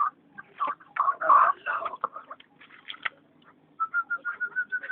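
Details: Chukar partridge (chakor), April 7, 2012: a burst of loud, harsh overlapping clucks and chattering notes, a pause, then an evenly pulsed series of short whistled notes slowly rising in pitch.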